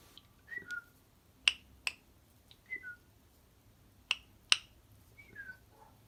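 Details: A pet lorikeet, a champion at clicking, makes sharp, dry clicks, often in quick pairs, alternating with short downward-sliding whistles about every second or two.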